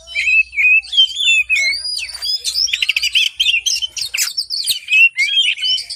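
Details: Oriental magpie-robin in full morning song, played as a lure for birds that are reluctant or slow to sing: fast, dense run of high whistles, trills and chattering notes, with a faint low hum beneath.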